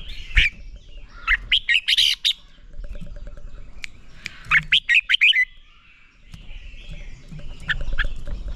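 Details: Red-whiskered bulbul singing in a training recording meant to excite birds into competition song. A sharp note opens, then two bursts of fast, loud, chirpy whistled notes follow, with quieter thin notes and faint low noise between them.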